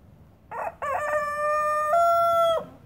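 A young Deutsches Reichshuhn cockerel attempts a crow: two short rough notes, then one long, strained, steady note that steps up slightly before breaking off.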